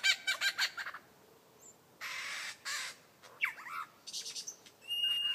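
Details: Lyrebird in beatbox-like mimicry. A quick cluster of clicks opens the passage, followed by broad hissing blasts, a single swooping whistled note and scattered chattering fragments, with gaps between phrases.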